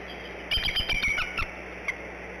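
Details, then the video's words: Female bald eagle at the Decorah nest, brooding eggs at 06:19, calling for her mate before a shift change; a quick series of about six high, thin, squeaky piping notes within one second, then a single faint note, over steady background hum. "Mom calls for Dad then before shift change"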